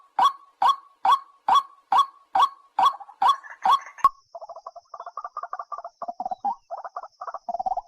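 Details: White-breasted waterhen call recording meant as a bird-trapping lure, giving loud, regular croaking notes about twice a second, then a quicker run of softer, stuttering double-pitched clucks.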